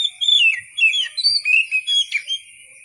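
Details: White-rumped shama in full song, natural wild-style, for training other songbirds: flowing sequence of whistled slurs and quick trills, rapidly varied notes over a steady high tone.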